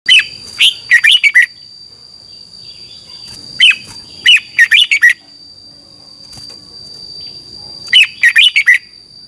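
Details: Red-whiskered bulbul from Thailand, a caged song bird, singing a 'double' style training song. Three bursts of four to six quick, bright warbled notes, separated by pauses, over a steady high whine.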